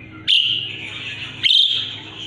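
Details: An Asian pied starling, kept singing as a song tutor for magpie-robins, gives two loud, abrupt harsh notes more than a second apart, each sliding into a fading rasp.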